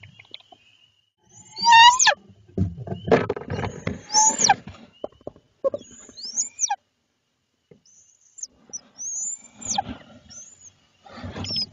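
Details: Barred owl pair at night in Lebanon, Connecticut, the male bringing prey to his mate while three owlets wait to be fed; a rising whistled note and sharp high screeches, then cackling bursts separated by short pauses.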